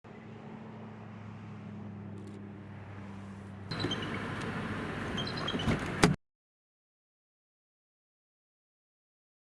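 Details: A vehicle engine hums, then a door slides and clunks shut with broadband rattling before the sound cuts off.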